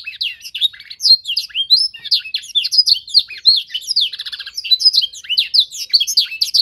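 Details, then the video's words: Young canary being trained to sing by imitating a master song. Throughout, there is fast, unbroken, high-pitched warbling with sweeping chirps and buzzy trilled runs, and no other sounds. "Proses pemasteran kenari paud (singing training season)"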